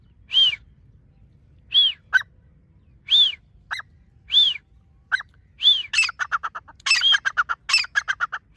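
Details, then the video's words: Dakhni teetar, a partridge, giving loud arched whistled notes about every 1.3 seconds, then breaking into a fast rattling series of sharp repeated notes; quiet background. "teetar ki awaz"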